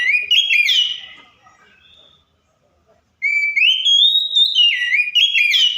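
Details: Oriental magpie-robin mimicking other birds with loud whistled phrases, stepping up and down in pitch, a short burst, a silent pause, then a longer flowing whistled run.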